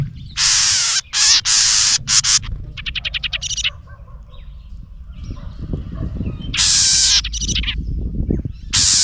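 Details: An angry house wren defending its nest from a close camera. Long grating buzzes alternate with a fast series of sharp clicking ticks, then more harsh rasps after a quieter pause with rustling.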